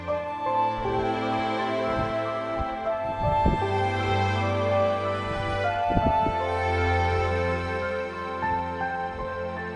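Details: Slow, tender background music of sustained chords and a warm bass that swells and fades, with no animal voices.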